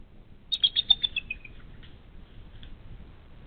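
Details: Bald eagle at the U.S. Steel nest on a snowy March 12, 2022, the female rising and shaking off snow; a quick series of high piping notes that step downward and fade, about six notes in one second.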